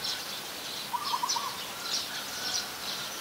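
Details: Coppersmith barbet (Psilopogon haemacephalus), a very common resident, in Ubon Ratchathani, Thailand, on 2 January 2021, giving a brief run of four hollow, low tonk notes in quick succession over a steady high insect hiss and faint chirps.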